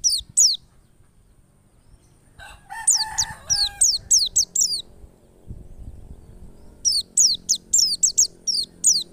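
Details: Wild white-eye (pleci ngalas) song played as a lure to start other white-eyes singing: long runs of thin, falling high whistles in fast succession, briefly interrupted by a rooster crowing in the background.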